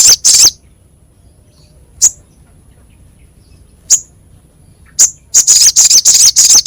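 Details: Crescent-chested babbler with a harsh, rough voice, used as training sound for songbirds: two buzzy rasps, then single short notes spaced by pauses of a second or more, ending in a quick burst of rasping notes.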